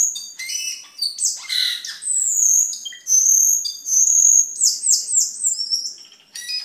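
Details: Energetic cucak keling song used to tutor other caged birds and to lure birds: varied high chirps, then long, sustained high whistles broken into quick repeated notes, closing with brief, fluttering chips.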